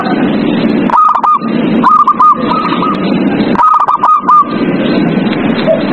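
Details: Night-time zebra dove song used to prompt caged doves to sing: three bursts of quick, stuttered whistled notes, each run a rapid chain of short hooked coos, set against steady heavy hiss and buzz.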